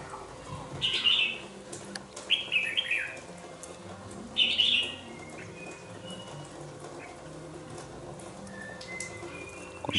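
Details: Caged young red-whiskered bulbul, two months old, utters three short, sharp warbled phrases spaced a few seconds apart. After them come faint thin chirps and long stretches of low room noise.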